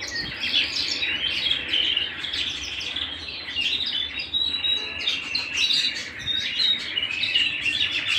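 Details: Canary singing at home: a continuous, dense warble of fast chirps, trills and bright whistled notes, steady throughout with no pauses.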